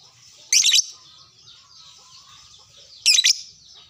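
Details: Lovebird answering a fellow lovebird: two sharp, harsh squawk bursts separated by about two and a half seconds, with continuous thin, rapid twittering between them.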